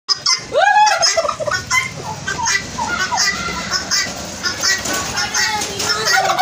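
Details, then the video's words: Turkeys gobbling loudly in a dense, continuous chorus of rattling, warbling calls, several birds overlapping with sharp higher notes throughout. "turkey chicken sound"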